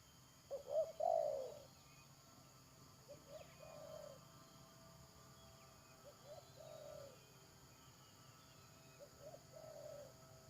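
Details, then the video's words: Spotted dove calling during a trapping session with a decoy bird, 31 May 2022. A strong phrase of short notes and a hoarse croon, then three fainter answering coo phrases spaced about three seconds apart. "Pikat Tekukur"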